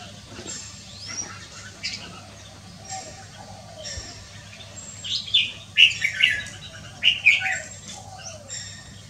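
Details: Red-whiskered bulbul song on a Wednesday afternoon, 6 December 2023: after quiet chirps, a burst of quick, bright whistled phrases comes in two clusters, over a steady low hum.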